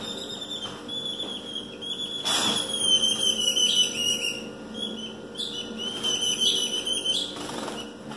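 A female Ultramarine grosbeak soliciting mating with rapid, thin, high chirps and twitters, repeated steadily over a constant high-pitched whistle-like background.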